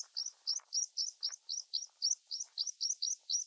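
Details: Meadow pipit on a moor giving a fast run of thin, high, slurred notes, about four each second, with faint low rustles beneath.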